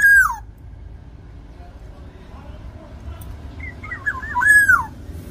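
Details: Black-naped oriole from Java, lively song used to coax a captive oriole into singing: a falling whistled slur opens, then a wavering looping whistle ends in a strong downward sweep near the close.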